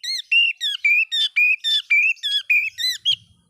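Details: Oriental magpie-robin song played to rile up other magpie-robins: a steady, rapid series of rich whistled notes with falling and hooked inflections, about two per second, clear and loud with almost no background.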